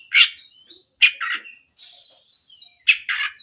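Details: Oriental magpie-robin singing in a lively, energetic style: loud, sharp chirps and squeaky, scratchy phrases in short bursts separated by brief pauses, with thin whistled notes in between; no other sounds stand out.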